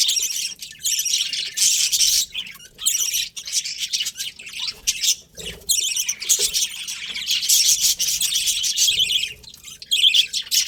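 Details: Several budgies chatter steadily, layering high buzzy twitters and quick chirps, with short gaps where the chatter briefly drops away before resuming.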